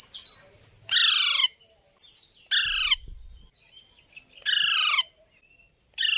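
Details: Indian parrot uttering long, drawn-out harsh squawks about every one and a half seconds, each sliding downward, with a faint low rumble under one call.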